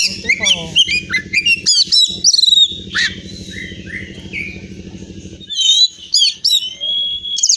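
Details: Oriental magpie-robin kept as a caged bird in Pemalang, Central Java, Indonesia: rapid, varied whistles and sweeping slurs in bursts, then a quieter stretch before clear whistled phrases return, with a low rhythmic hum beneath.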